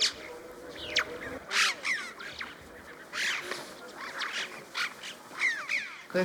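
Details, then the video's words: Several jackdaws in the Zanskar Valley, Himalaya, in winter trade short, sharp 'chack' notes, some clipped and some slightly drawn out, in an irregular back-and-forth chatter, as if talking to each other, over a faint murmur. "It sounds like the jackdaws are talking to each other."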